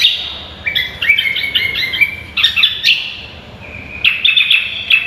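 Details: Vigorously singing cucak kombo, the greater green leafbird, on a tutor recording: fast trilled and whistled phrases, some sustained level tones, in bursts with a short quiet pause mid-way.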